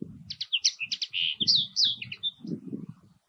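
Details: Common linnet calling in a continuous twittering run of high chirps and short slurred whistles, with low rumbling noise underneath throughout.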